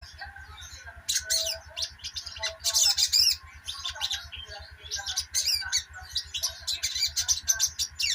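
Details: Sogok ontong (sogon), a sunbird, chattering rapidly; dense bursts of high, scratchy chirps and squeaky trills come from about one second on over a steady mid-pitched hum and a low, fast mechanical pulsing.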